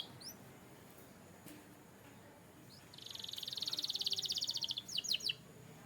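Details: Canary training song: a quiet stretch with a few soft chirps, then a fast pulsing rolled trill lasting about two seconds and a brief burst of sharp notes at the end, over steady hiss.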